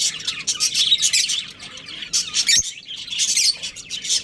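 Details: Budgerigar breeding pair warbling: a busy stream of harsh, high twittering chirps in waves, with one short sharp tap midway.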